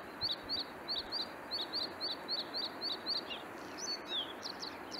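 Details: A red-spotted bluethroat, a rare bird that breeds only sporadically in the Swiss mountains, sings a fast run of a dozen identical high, clipped notes, then varied sharp chirps and slurred whistles over a soft rushing background.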